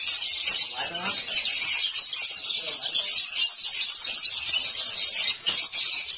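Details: Domestic lovebird singing 'konslet' style without stopping, a continuous shrill twittering chatter held at high pitch, busy and unbroken, with one sharp louder chip near the end.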